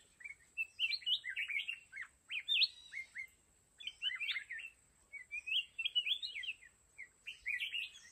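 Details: Red-whiskered bulbul, caged decoy in a fighting trap, pours out dense bursts of bright warbled notes in three energetic groups roughly every two to three seconds, over a faint constant high tone.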